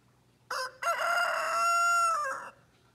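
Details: A rooster in the mountains of New Hampshire gives one full crow: a short opening note, then a long, loud, harmonic wail held steady before dropping off at the end.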